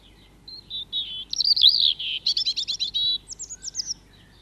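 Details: European robin at RSPB Leighton Moss sings a high, liquid phrase of thin whistles, then a quick run of rippling trills and a few sharp, sliding notes, all in about three and a half seconds.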